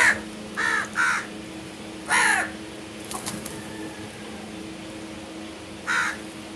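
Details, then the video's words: Crow giving a loud opening caw, then a quick pair, another single caw and a last one after a pause, with soft clicks and steady hum between. "Nice Crow Birds vs Other Birds | Crows Sounds"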